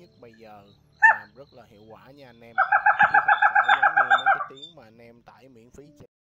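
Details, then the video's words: A brown-throated crake (gà nước họng nâu) lure recording of males and females, used for night net-trapping, gives one sharp note and then a rapid run of about a dozen harsh, nasal notes in under two seconds, over low murmuring. "Tiếng Bẫy Gà Nước Họng Nâu"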